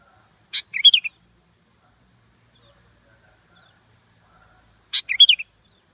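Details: Sooty-headed bulbul, Pycnonotus aurigaster, giving two short bubbly phrases about four seconds apart, each a sharp high note followed by quick, warbled, rising and falling notes, in otherwise quiet surroundings.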